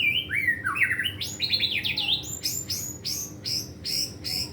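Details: Caged white-rumped shama (murai batu) in training, pouring out a loud varied song of swooping whistles and rapid slurred notes, ending in repeated sharp downslurred chips about three per second.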